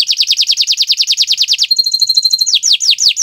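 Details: A canary sings on a Friday morning, a fast series of rapid descending slurred notes, then a steady pure whistle with faint low ticking, followed by slower sweeping downslurs.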